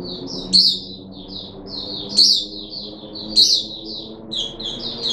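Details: Third day of deworming for a caged puff-backed bulbul, 14 July 2021. High, bubbling chirps run continuously, with an emphatic sharp squeak roughly every second and a half, over faint low hum.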